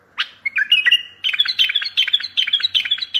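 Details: Bulbul singing loudly to lure distant bulbuls and make silent ones sing: a continuous stream of quick, slurred whistles and fluty notes, growing steady and rhythmic.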